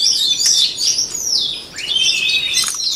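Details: White-rumped shama delivering a loud, sweet whistled song for voice training, with a long, smoothly descending note and then a rising, rolling whistle.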